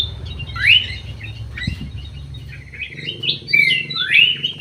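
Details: Greater green leafbird in an aviary, giving a rising slurred whistle, then softer chirps, and ending with a few clear upswept whistles over a low humming background.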